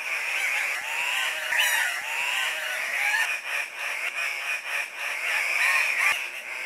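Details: Andean cock-of-the-rock males at a lek, hopping and bobbing to win females. A steady wall of rough, nasal squawks, with upward-swooping whines and scattered clicks throughout.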